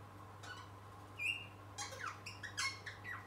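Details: Young pet rosella playing and trying to sing indoors: one drawn-out whistled note, then quick scratchy, squeaky chirps tumbling downward, over a low room hum.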